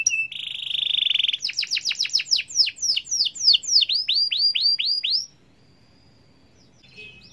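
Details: Atlantic canary singing a long continuous song meant to set other canaries singing: a bright buzzy trill, then a fast series of rapid downslurred whistled notes repeated several times a second, ending in silence with a faint note.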